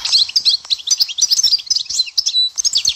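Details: European goldfinch, Dahouara in Souk Ahras, delivering a dense burst of high, sparkling twitters and buzzy trills with one short sustained pure note near the end.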